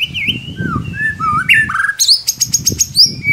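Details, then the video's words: Murai batu, the white-rumped shama, singing a lure song meant to provoke a reluctant bird: long flowing whistles sliding down, then a rapid series of sharp high clicks and bright ringing notes. "Solusi murai ngiriwik kurang gacor cukup dengarkan suara pancingan ini pasti nyangut"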